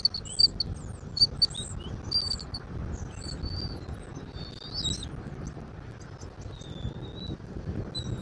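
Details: Bald eagle at a nest watched by a camera in Southwest Florida, recorded on 10 February 2024 at 14:02; a few high, thin, staccato chirps early on, then drawn-out squeaky whistles, over steady low wind rumble.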